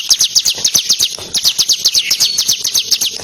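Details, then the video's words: Bar-winged prinia, or Ciblek Kristal, in lively song used as a tutor for contest birds. Rapid high chips slur downward in a rattling series, with a brief slurred phrase near the middle. "Masteran Ciblek Kristal Gacor Nembak Ngebren"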